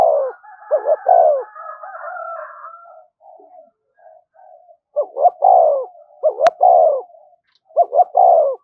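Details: Spotted dove in thúc gù style, used to excite decoy birds. Soft, warbled cooing opens the clip, then several deep two-note-plus-drawn-out coo phrases follow. A sharp click sounds near the end.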